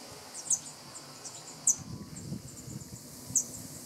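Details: Juvenile cirl bunting recorded at Skradin, Croatia, on 25 July 2017: three thin, very high, sharp call notes spaced a second or more apart over a low background hum.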